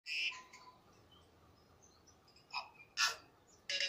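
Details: Tui singing at Waikouaiti: a few separated high, bright notes and short chiming bursts with clicks and a lower tone between long pauses, on a quiet background.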